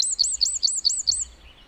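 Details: Wren in the forest repeating a looping, rising-and-falling high note six times in quick succession, about five per second, before fading out.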